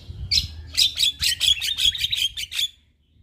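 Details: Male Javan myna in full song, a recording meant to teach other mynas; a quick series of about ten buzzy, rasping chattering notes delivered in under three seconds, then silence.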